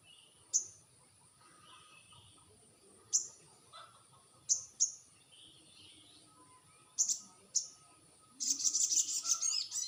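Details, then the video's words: Crested jay call played as a lure to draw a reply: scattered sharp, very high clicks a second or more apart, then a dense, rapid, dry rattling burst lasting over a second at the end. "sogon bisu dijamin nyaut dengan pacingan burung sogon ini"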